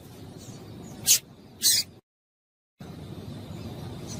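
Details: Female Double-collared seedeater calling to stimulate males, two short high sharp notes about half a second apart over low background hum, then a brief silent gap.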